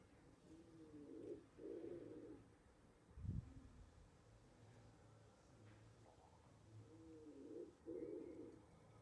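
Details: A common wood pigeon (owner unsure whether turtle doves) in a balcony box gives two low, hoarse cooing phrases about six seconds apart, each a rhythmic series of soft hoots, with a brief thump between.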